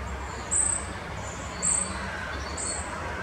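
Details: Short-toed treecreeper at Oosterbegraafplaats cemetery, Amsterdam, the Netherlands, on 1 November 2015; thin, very high-pitched notes given about once a second, three in all, over a steady low rumble.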